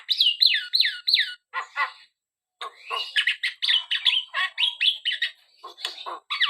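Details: Javan myna song with repeated falling whistles in quick succession, grating rasps, a brief pause, then a busy stream of varied squeaky and slurred notes.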